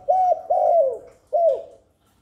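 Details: Spotted dove cooing to lure wild doves and stimulate newly kept birds: three mellow, low coos, the middle one longest and sliding downward, in a quiet setting.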